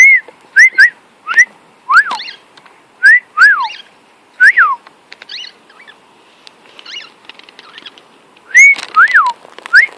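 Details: Male cockatiel kept as a pet whistles while flying: short upward and downward slurred notes in quick bursts, some paired, with brief pauses and soft chirps between.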